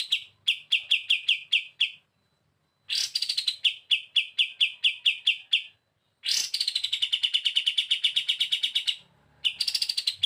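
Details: Olive-winged Bulbul singing steadily for training other birds: runs of quick sharp chips alternate with longer harsh, buzzy rattling trills, separated by short silent gaps.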